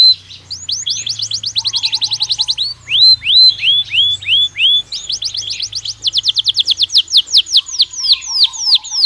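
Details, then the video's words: Belgian canary in natural song used for training birds: fast trills of sweeping notes broken by a few slower rising whistled phrases, then another long rapid trill, with a faint low hum in the background. "Canario Belga Cantando Naturalmente"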